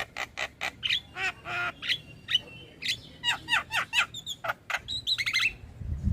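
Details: Javan myna song used as a lure to make silent mynas sing: a lively, varied string of harsh chatters, nasal squawks, brief clear whistles and trilled notes in quick succession.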